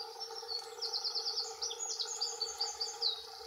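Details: Two male dunnocks singing territorial song: a quick, high, jingling warble of rapid squeaky notes lasting about two and a half seconds, over a steady low background hum.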